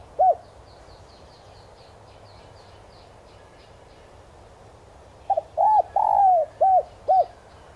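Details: Spotted dove decoy in the 'son' voice style, meant to provoke wild doves into calling: a single short coo, a long quiet gap, then a stuttered double note, a drawn-out falling coo and two clipped coos.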